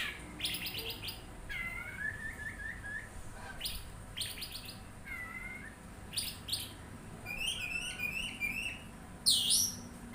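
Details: Oriental magpie-robin giving repeated slurred whistles between bursts of harsh rasping notes, then a rapid run of high twittering phrases and a loud squealing call near the end.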